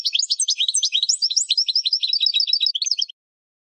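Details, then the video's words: European goldfinch song played to train captive birds: a dense three-second stream of quick, tinkling, liquid twitters and slurred notes, varied and continuous, then silence. "Goldfinch Singing 12h Training Song"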